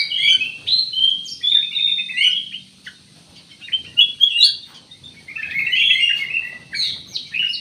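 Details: Black-naped oriole in a long run of busy chattering and warbling, with twisting notes packed closely together and one brief pause midway.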